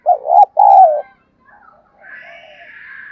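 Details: Excited cooing from a spotted dove kept as a decoy: one low two-part phrase, a brief hoot then a longer wavering coo, followed by faint soft notes and a thin higher whistle.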